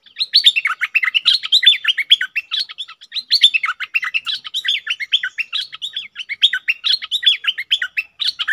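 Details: Energetic double song of a cream-vented bulbul, recorded 18 June 2021: a long, continuous cascade of warbling, chattering notes that rise and dip without pause.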